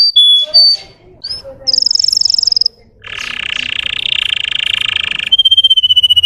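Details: Russian canary song used to excite untrained canaries: scattered short whistles, a high buzzy tour, then a coarse low rolling tour and a steady pure whistle.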